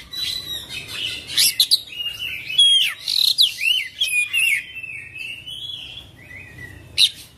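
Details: An Oriental magpie-robin's varied 'full isian' song, with sharp chips and high squeaky whistles, twisting warbled phrases mid-way, then a quieter trailing chatter and one last loud note.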